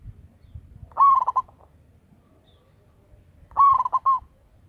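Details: Loud local zebra dove kept as a decoy gives two clear phrases of rapid, bubbling coos, each opening on a rising note and ending in clipped beats, with quiet between.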